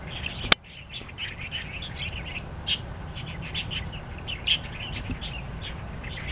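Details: Wild starlings in Taiwan, a dense chorus of short, bright chirps and twittering notes overlapping continuously, with a sharp click near the start and a steady low rumble beneath.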